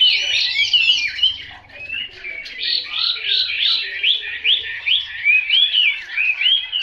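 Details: Chinese hwamei delivering a tangled burst of varied whistles, then a steady string of rapid upslurred whistled notes repeated several times per second.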